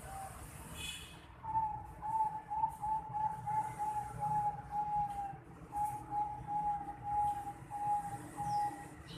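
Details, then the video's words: Bangkok-type zebra dove, a 4.5-month-old young bird, repeating a long series of short, even cooing notes on one pitch, with a brief pause midway. Continuous low rumbling noise underneath. "Suara Teriakan Piyek Burung Perkutut Bangkok Umur 4,5 Bulan"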